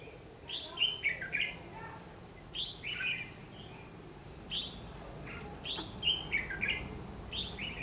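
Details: Red-whiskered bulbul fighting song serving as a trapping lure, 14 December 2015: quick bouncy warbled phrases of two to four notes, repeated steadily every second or two over faint background hiss.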